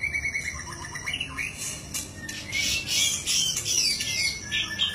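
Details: White-rumped shama (murai batu) in full, lively song: varied high whistles, buzzy notes and rapid chattering phrases that crowd the upper register, with a low background hum.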